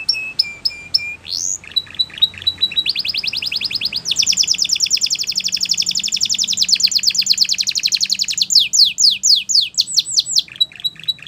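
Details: A Belgian canary, offered as a tutor song for young canaries, sings a long, bright song of rapid trills and rolls, shifting through several tours, with fast descending whistled notes near the end.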